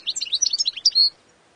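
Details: European goldfinch giving a short burst of rapid twittering that ends in a sustained, bright, whistled note, then quiet.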